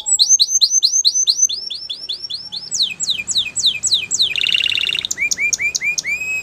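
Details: Canary singing indoors: runs of rapid rising-then-falling whistled notes repeated several times a second, shifting to steeper downslurred notes, a fast buzzy trill, then lower upswept whistles, with faint background hiss.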